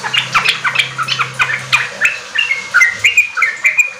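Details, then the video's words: Yellow-vented bulbul song as a lure for raw kept bulbuls to start riwik and ropel singing: varied, quick chirps at first, then clearer whistled notes in a steady series. "Pancingan trucuk ampuh bikin trucukan bahan cepat riwik ropel gacor"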